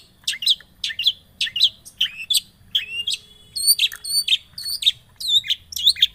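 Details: A long-tailed shrike lure: loud slurred chirps, many falling in pitch, repeated about twice a second, with some higher ringing whistled notes mixed in.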